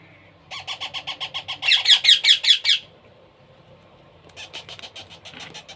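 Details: Hand-fed baby parrot begging with a rapid, rhythmic series of harsh buzzy squawks, about two to three per second, rising to louder calls before a quieter second burst.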